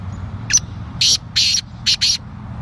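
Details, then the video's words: Male black francolin (kala teetar) calling: a short note, then four harsh, rasping grating notes in quick succession, over a faint low background rumble. "Kala teetar voice - Male teetar voice - Teetar bird - Teetar ki awaz"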